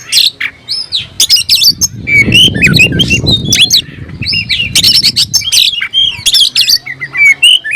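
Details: Oriental magpie-robin singing while seeking a rival: a rich, varied medley of loud whistled phrases, sharp chirps and harsh notes, with a low rumbling noise mid-clip.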